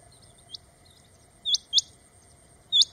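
Rain Quail giving short, sharp, high metallic notes, with a quick pair and then a single note, against a steady thin insect hum.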